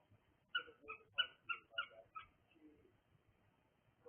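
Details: A cockatiel gives a quick series of six sharp two-toned chirps, about three per second, that fade out, followed by quiet softer sounds.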